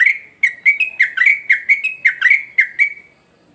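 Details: Energetic sooty-headed bulbul song, a quick series of around a dozen clear, downslurred whistled notes at even spacing, some doubled, fading out near the end into quiet.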